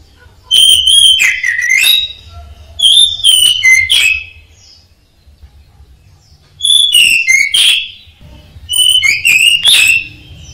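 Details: Caged orange-headed thrush singing as a training recording for songbirds: four bursts of bright descending whistles and rapid chips, each about a second long, separated by pauses, with a soft low hum beneath.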